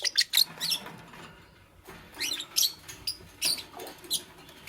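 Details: Fischer's lovebird, green, with a pastel companion, building a nest: sharp high chirps in short bursts separated by brief pauses, mixed with dry scratchy rustling.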